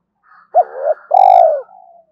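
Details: Spotted dove in a quick two-ending lure call: a faint soft lead-in, a sharp hooked coo with a wavering tail, then a long vibrating coo trailing into a quiet, thin ending.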